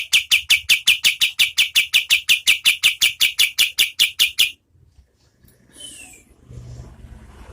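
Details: Oriental white-eye (kapas tembak) giving a steady, medium-paced run of over twenty crisp, high chipping notes in even rhythm, recorded as training audio for competition birds; a faint thin downslur and soft background rustle follow.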